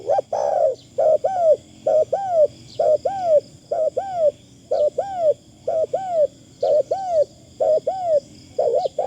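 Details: Spotted dove used as a decoy bird, calling with a fine, thin phrasing: arched coos at a steady pace, often in pairs, about once a second, over a steady high-pitched drone in the background.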